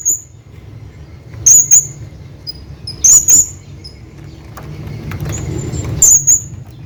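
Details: Male hanging parrot calling his friend, repeating paired sharp, very high-pitched squeaks roughly every one and a half seconds, with soft low hum in the background.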